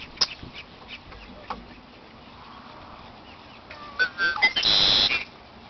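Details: A male Red-winged Blackbird, recorded from within arm's reach, gives a few chirps and then one loud song near the end: a few clear introductory notes, then a harsh, buzzy trill about half a second long. Faint clicks come before it.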